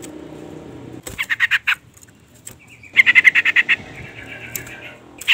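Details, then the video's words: Calling female yellow-vented bulbul used as a lure to excite a male: two quick runs of scratchy, stuttering notes, the second ending in a thin drawn-out whistle, with a faint rumble underneath. "suara panggilan trucukan betina EMOSI gacor pancingan bunyi burung trucuk jantan"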